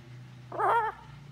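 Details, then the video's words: Pet blue-and-gold macaw on a farm, talking with its owner amid 'hello' and 'quack' words: a single loud wavering harmonic phrase of under half a second over steady low hum. "Talking With My Friend The Macaw Parrot"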